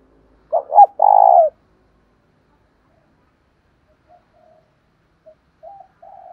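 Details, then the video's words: Spotted dove lure call meant to provoke fighting: one loud coo phrase of two short stuttered notes and a sustained throaty coo, followed by faint, soft cooing fragments near the end. "Tiếng chim cu gáy mồi thúc đấu"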